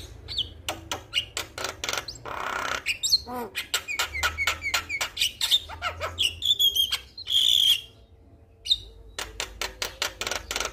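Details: Male Javan myna in full, lively song meant to set other mynas singing: a rapid run of harsh buzzy bursts and clicks, short whistled slurs, and a long sustained squealing note near the end, then more staccato bursts.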